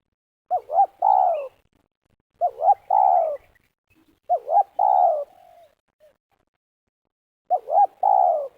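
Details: ['Spotted dove calling during a luring session for snare trapping in Liwa, West Lampung, Indonesia, a style called meruas: four phrases, each two short rising hooked coos then a long descending coo, repeated every two to three seconds in quiet surroundings.']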